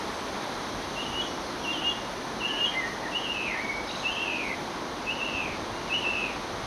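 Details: Song thrush in song, a garden songbird known to mimic the common buzzard: a string of short whistled and slurred phrases, several dropping in pitch, spaced roughly every half second over faint steady background hiss.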